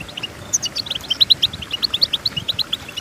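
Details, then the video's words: Goldfinch song meant to train goldfinches: an even, rhythmic series of rapid high chirps, about eight per second, with a few sharper whistled notes mixed in. "Golden Tunes The Entrancing Song of Goldfinches Birds"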